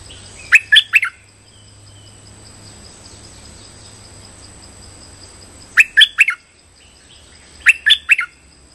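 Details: Streak-eared bulbul lure calls used for trapping: three short bursts of three or four sharp chirps, spaced several seconds apart, against a soft steady background hiss.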